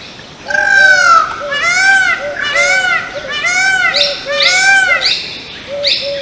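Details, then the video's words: A male Indian peafowl during its courtship dance and mating display gives a run of five loud, nasal, arching honks, about one per second, rich and brassy in tone, over a soft background murmur. "Peacock Dance up close, sound & mating ritual"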